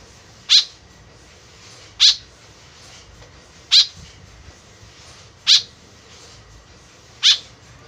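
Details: Lively white-breasted woodswallow whose voice serves as a lure, giving five brief, harsh, buzzy notes spaced roughly every one and a half to two seconds against a faint constant hiss.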